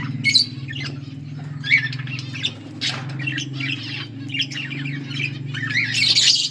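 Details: Pair of pet budgerigars, kept as Australian parrots, chattering together in a lively mood; scratchy warbled chirps and squawky bursts come in uneven clusters, rising into a dense chatter at the end, over a steady low hum.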